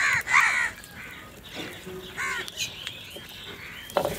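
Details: Crows squabbling over food. A loud, rasping caw opens, followed by fainter scattered caws and short calls from several birds over background noise.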